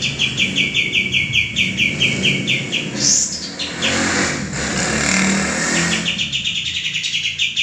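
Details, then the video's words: Male common iora, used as a training model for cage birds, gives a fast series of sharp repeated chirps that is then drowned by passing vehicle noise before the chirping returns faintly. "suara burung kapas tembak jantan gacor"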